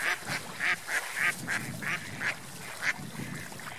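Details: Ducks swimming and flying on a lake, giving a run of nasal quacks roughly twice a second, some louder than others, over soft water and background noise.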